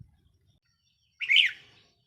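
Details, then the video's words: Decoy red-whiskered bulbul in a cage, 4 May 2023: a single short, bright, slurred chirpy phrase lasting about half a second, in otherwise near silence. "เสียงนกต่อ นกกรงหัวจุกแก้มแดง"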